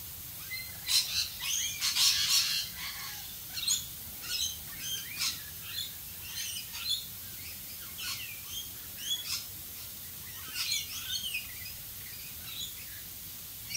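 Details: In Australian rain, a flock of rainbow lorikeets keeps up scattered shrill squawks and chattering screeches for many seconds, loudest early on, with rainfall hissing throughout.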